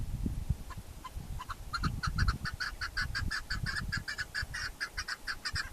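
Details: Keklik, the chukar partridge, in Tajikistan's Pamir mountains in 2021, giving a fast series of harsh repeated chuck notes that quicken into a steady rattling rhythm over low rumbling background noise.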